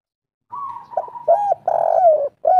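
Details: Spotted dove, a local bird, kuk 3 song style: a drawn-out flat coo followed by several short rounded low coos and a falling slurred note, close and clear.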